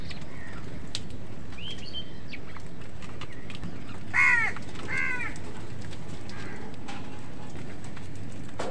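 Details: Crows competing with wild birds for food give a pair of harsh, hoarse caws in the middle, with faint chirps of other birds and steady low background rumble.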